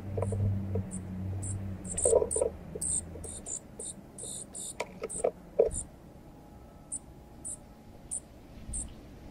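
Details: Baby junco, the first young seen at a balcony bird feeder, begging while a wild male junco feeds it: short, very high, thin notes in rapid irregular bursts, with soft ticking and pecking sounds and low hum at the start.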